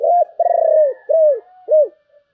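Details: Spotted dove, 'giọng thổ' singing style with a 'bầu' voice: loud rolling purred coo followed by two rounded, downward-curving coos, with a faint higher hum behind the phrase.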